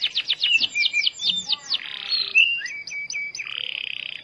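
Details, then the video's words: Starblue canary in lively song used as a lure to get other canaries singing: a quick series of falling whistled notes, a harsh buzzy segment, then spaced sharp chips and a closing rapid buzzy trill, all high-pitched. "Pancingan Burung Kenari Starblue Gacor Dor"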